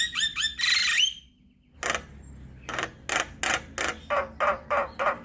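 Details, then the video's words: Javan myna song meant as a lure and tutor recording for all kinds of mynas: a quick run of rising whistled chirps, a short pause, then harsh rasping squawks repeated about three times a second. "PAncingan Dan Masteran Jalak Kebo Buat Semua Jenis Burung Jalak"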